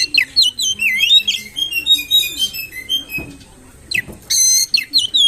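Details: Oriental magpie-robin lure song, played to rouse other magpie-robins into fierce singing: rich, varied whistled phrases sliding up and down, mixed with harsh squawky notes, a quiet pause, then more bright whistles.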